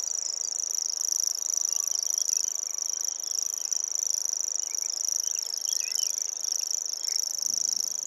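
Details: Common grasshopper warbler song: a continuous, high, insect-like reel held on one steady pitch for the whole stretch without a break, over faint background hiss.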